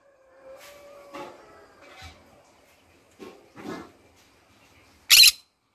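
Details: A pet green-cheeked conure singing in the morning gives soft scratchy chatter and short muffled notes, then ends with one sudden loud, harsh screech.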